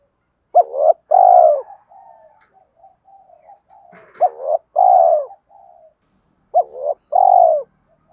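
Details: Spotted dove giving a fighting coo used to lure wild doves when trapping; three phrases, each a short hooked note then a long, drawn-out mellow coo, separated by faint low murmuring.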